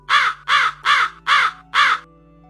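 A Hooded Crow gives five harsh, hoarse caws in steady rhythm, about two per second, over a faint, steady electronic hum.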